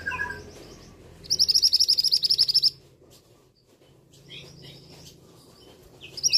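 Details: A male scarlet minivet gives a quick run of about fifteen thin, high chipping notes as harsh "screams", then scattered shrill calls over a low background hum; a recording meant for tutoring other songbirds.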